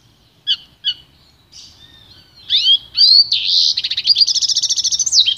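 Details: Pintagol (goldfinch crossed with canary) singing a pure training song: two clipped chirps, sliding whistles, then a fast buzzy trill of rapid repeated notes, about two per second at first and quickening.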